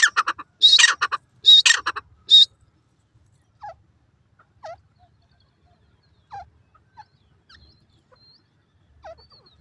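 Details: Francolin (teetar) calling, from a recording of male and female calls: three loud, harsh, rasping bursts in quick succession over the first two and a half seconds, then near silence with faint short chirps from other small birds.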